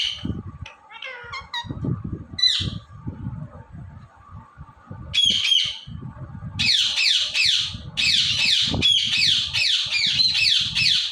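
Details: Green Indian ringneck parrot kept as a pet: scattered short chirps at first, then a long run of loud, rapid, harsh squawks repeated nearly without pause, with low thuds and room noise underneath.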